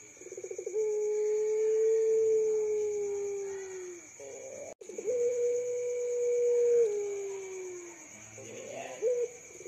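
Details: Young puter pelung dove, said to call both day and night, utters two long sustained low coos, each opening with a quick stuttering onset and sagging downward at its close, about four seconds apart; faint steady electronic whine behind.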